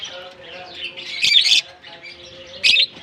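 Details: Lovebirds in a German colony at the start of summer, freshly released: steady high chattering, with two louder shrill squawk bursts, one midway and one near the end.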